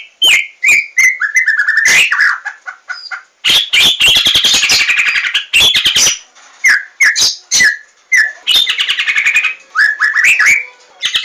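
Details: White-rumped shama singing as a lure to get birds singing: a rich, varied stream of whistles, rapid chattering trills, harsh squawky bursts and clear sliding notes, delivered continuously with brief pauses.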